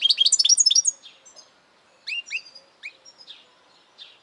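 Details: European goldfinch delivering a quick run of bright, liquid twittering notes, followed by sparser rising chirps and soft high slurred calls with gaps of silence.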